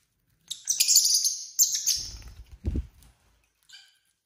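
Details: Pet lovebirds at dinner time give a run of dense overlapping chirps, followed by a low thump and rustling handling noise, then one soft final chirp.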